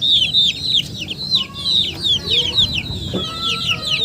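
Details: Chicken calls: shrill descending peeps from several birds in near-continuous overlap, with low rumbling noise underneath and a faint clunk near the end.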